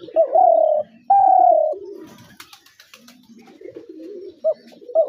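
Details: Two strong, drawn-out coos from a spotted dove, each falling slightly in pitch, then a stretch of faint low cooing before short hooked notes begin again at the end.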